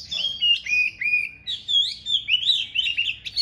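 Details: Caged Chinese hwamei in a fighting display, pouring out a continuous rich whistled song of sliding, warbling phrases that rise and dip, with short breaks between bursts and no other clear sounds.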